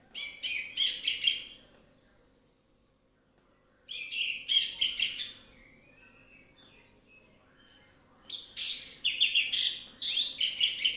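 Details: Orange-headed thrush singing freely and loudly as a lure to set others singing: three dense bursts of rapid, varied chattering and whistled notes, each lasting about two seconds, separated by silent gaps.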